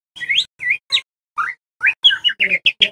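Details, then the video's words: Young White-rumped shama song used as a lure to teach other birds: a quick run of rich, varied whistled phrases, some rising and some slurred, delivered in short bursts. "SUARA PANCINGAN MURAI BATU TROTOL AGAR CEPAT BELAJAR BUNYI NGEPLONG"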